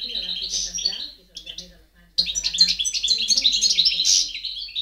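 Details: European goldfinch song recorded in 2010: a tinkling twittered phrase, a short pause with a couple of chips, then a long, lively run of rapid chirps and buzzy trills.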